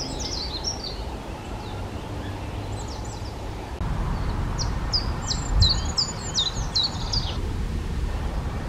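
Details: High, thin, rapid notes from a Eurasian treecreeper, first a short burst, then a longer run of sharp descending notes, with steady low background noise throughout.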